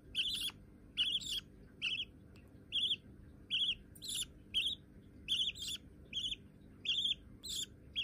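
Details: White budgerigar chicks already perching on a hand, uttering harsh, rasping chirps at uneven intervals, some doubled, across the whole stretch.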